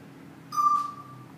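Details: Congo African grey parrot, recorded in April 2013, giving a single clear, steady, flat whistle lasting under a second, with a soft breathy burst at its onset, in a quiet room.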